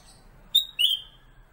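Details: Black-capped bulbul (kutilang emas), a pet master bird for training magpie-robins, gives one brief phrase: a sharp high whistle, then a lower drawn-out slurred note.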